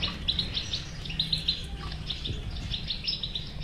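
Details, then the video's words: European goldfinch song in the batbata style, used as a remedy for a goldfinch that will not sing. Quick clusters of sharp high notes repeat amid continuous twittering over a low droning hum. "اذا لديك مشكله في حسونك انو لا يغرد لا تخاف هذه البتبته الحل وعلاج الحسون الصامت بتبته اجرام"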